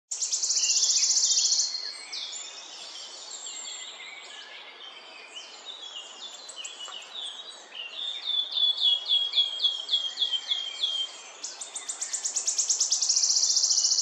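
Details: Wood warbler singing in Northamptonshire in June 2024: high, dry, shivering trills that open and close the passage, with a run of quickening, ticking notes between, over a soft background hiss.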